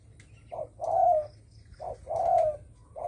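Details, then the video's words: Đồng thổ sấm call of a spotted dove, used to provoke other birds: low cooing pairs, a short clipped note and then a longer, slightly falling coo, repeated twice before a third begins. "Tiếng chim cu gáy đồng thổ sấm kích bổi"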